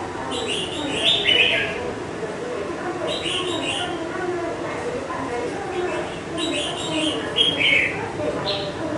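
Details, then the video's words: Wild-caught red-whiskered bulbul held in a cage for five months delivers three brief chirpy warbled phrases, roughly every three seconds, over persistent low background noise. "Chào mào mộc dở VIP 5 tháng lồng BỘ KHỦNG HẦU TO"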